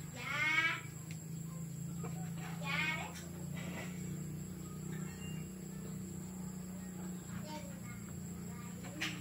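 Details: Young male F1 red junglefowl in Tha Som, Nam Som, Udon Thani, Thailand, giving a cut-style crow: two short, loud, harmonic rasping bursts near the start and around the third second, then quieter faint notes over a steady low hum.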